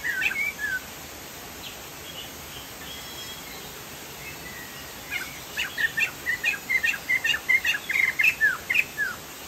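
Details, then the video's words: Song of a Chinese hwamei: a few loose whistled notes, a pause, then a fast even run of about fifteen short downslurred whistles against steady hiss. "POKSAY JAMBUL GACOR"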